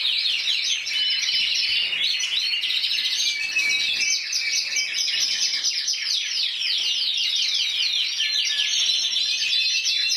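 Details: Prize-winning intense yellow canary, Spanish champion of 2014 with 94 points, singing a long unbroken song of rapid repeated trill phrases, each tour switching to a new rolling or chopped rhythm, high and clear.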